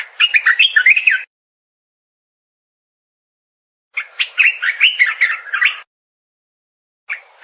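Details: Olive-winged bulbul giving melodious chattering phrases, each a rapid run of warbled, slurred notes lasting one to two seconds, separated by silent gaps, with a faint thin high whistle above; no other sounds.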